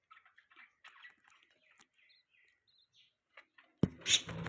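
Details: Pet budgerigars chatter in soft, fast, warbling notes and clicks for several seconds, then a loud broadband rustle or bump cuts in at the end.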